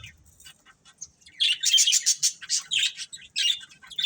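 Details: Colourful budgerigars of a breeding pair: quiet soft ticks at first, then from about one and a half seconds a rapid run of loud, buzzy, high chirps and chatter.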